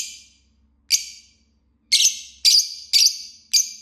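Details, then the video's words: Green Fisher lovebird chirping: strident high chirps, sparse at first, then a quicker run of four harsh notes about half a second apart. "Love Bird Singing and Chirping Sounds - Green Fisher"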